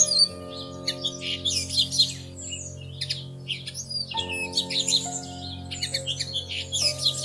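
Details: High-pitched Bushtit chatter from a pair building and tending a nest in a plum tree in early May: clustered thin chips and buzzy twitters in quick bursts, with sustained background music.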